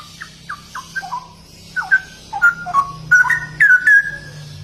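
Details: Straw-headed bulbul singing in gacor ropel style: short rich whistled notes near one to two kilohertz, starting sparse and building into denser, louder bubbling phrases toward the end, over a low steady hum.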